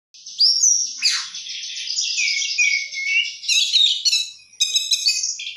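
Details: Oriental magpie-robin singing with a rich repertoire: a dense, high, continuous stream of buzzy trills and twittering notes, with a few sharp descending slurs and a final burst of crisp chips.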